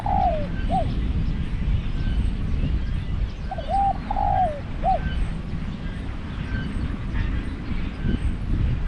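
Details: Spotted dove kept as a decoy for trapping wild doves. The end of one phrase, then a complete coo-coo, long descending croo and short coo, followed by several seconds of low background rumble only.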